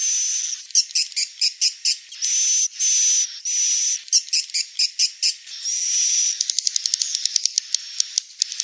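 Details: Swiftlet calls: bursts of rapid high buzzy chirps alternating with long, steady, thin whistled tones, each lasting about half a second, with a quick ticking series of clicks at the end.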